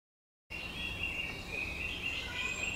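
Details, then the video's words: Song thrush singing clear, fluty whistled phrases, each repeated, mostly mid-high with a few thinner, higher notes, against a soft outdoor hiss. "The Voice, Song Thrush"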